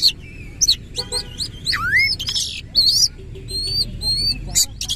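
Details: Vigorous, harsh-textured singing by an Oriental magpie-robin as it opens its tail: loud chips and squawky notes, then a repeated clear upslurred whistle three times near the end, soft background hum.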